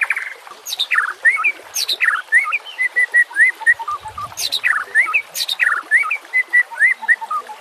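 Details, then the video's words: White-rumped shama song for luring and training silent birds. Clear, upslurred whistles alternate with brief, harsh, high bursts in a steady, varied rhythm. "PANCINGAN murai BATU pasti langsung TAK BISA DIAM"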